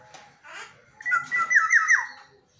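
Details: Kept black-naped oriole (kepodang emas) that sings at every dawn: a short, fluty whistled phrase of a few liquid, slurred notes, rising and falling in mid pitch and lasting about a second. Faint soft noises come before it.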